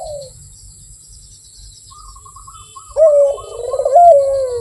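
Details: A brief coo at the start, then another bird's fast chattering series, and finally a full rolling, falling coo from the Barbary dove, sung melodiously.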